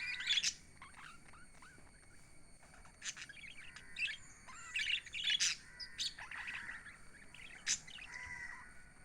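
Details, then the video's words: Pet lovebirds chirping happily, offered as company for lonely birds: soft, high, overlapping chirps and short twittering bursts from several birds, scattered irregularly over a steady background hiss. "Happy lovebirds chirping sound"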